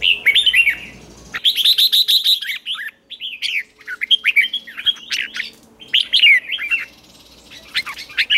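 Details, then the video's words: Red-whiskered bulbul kept in a cage, trained to sing in the morning with the ché style. It gives rapid runs of bright, chattering, warbled notes in dense bursts with brief pauses between phrases. "Luyện chào mào hót sáng, QUÁ HAY - CHÉ KÍCH BỔI CĂNG ĐÉT"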